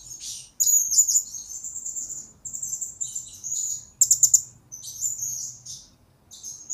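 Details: Blue-crowned hanging parrot singing on a recording used to lure and train other birds: a run of shrill, high twittering phrases with sharp clicky trills, each burst a second or so long, with near-silent background.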